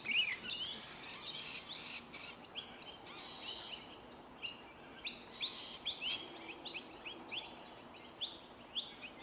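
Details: Rainbow lorikeets feeding on tree violet berries in suburban Melbourne, Victoria, Australia, in January 2021; harsh, buzzy screeches and chattering notes repeated in irregular bursts, several birds calling.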